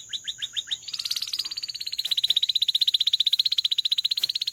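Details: Canary singing: five quick downward-slurred notes, then a long, fast rolling trill of evenly repeated high notes that grows louder and holds steady to the end.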